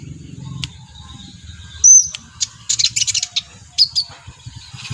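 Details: Brown-throated sunbird, locally kolibri ninja, after a stretch of low hum: a bright high whistle, then a quick string of sharp chirps and a few thin notes spaced apart.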